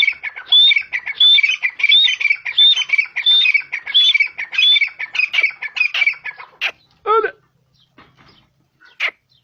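Grey francolin giving a loud, harsh, high call repeated about every three-quarters of a second for six seconds, then a few scattered squawks and a falling note.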